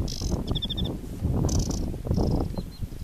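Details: July recording of an aquatic warbler at Chełmskie Torfowiska Węglanowe: buzzy bursts and a quick series of clipped whistled notes, heard over loud roaring wind.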